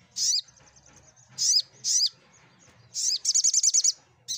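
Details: High, sharp olive-backed sunbird chirps, three spaced notes followed by a quick trill of about seven rapid notes and a final chirp. Used to prompt silent sunbirds to answer and sing, with a low background hum.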